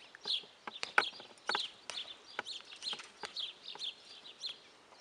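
Guineafowl give harsh, scratchy clucking calls in quick irregular bursts, several birds overlapping, with sharp clicks and knocks between.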